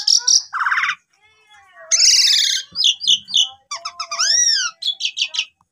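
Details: Asian pied starling song used as a lure to prompt silent birds to sing: a rapid, varied jumble of clear whistles, slurred upward-arching notes and harsh buzzy chatter in short bursts with brief pauses.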